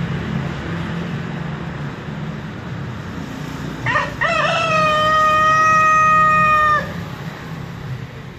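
A Brahma rooster crows once: a few choppy opening notes, then a long, steady, held note of about two and a half seconds, over a low background rumble.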